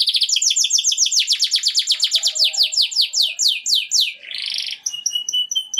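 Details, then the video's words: Canary song for mating, a long accelerating roll of descending chirps, then a brief harsh buzz followed by soft, evenly spaced short whistled pips. "Impresionante y poderoso canto del pájaro canario."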